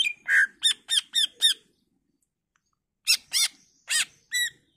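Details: Greater green leafbird singing a varied song meant to provoke other leafbirds to answer: five fast stacked, harsh-edged chirps, a pause of over a second, then four more spaced chirps.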